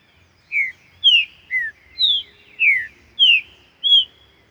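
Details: Green-winged saltator in the wild: a run of seven clear, falling whistled notes, each short and slurred, spaced about half a second apart, with a faint low rumble behind.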